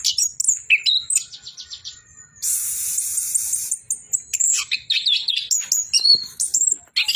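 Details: Orange-headed thrush singing actively: a fast, varied run of high chirps, sharp whistles and trills, broken by a harsh, hissing, buzzy burst of about a second, then more quick twittering phrases with clicks.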